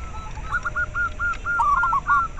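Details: Local zebra dove, used to stimulate breeding drive in captive doves and as a lure: a rapid rolling phrase of short, clear, mid-pitched cooing notes strung closely together, over a low background hum.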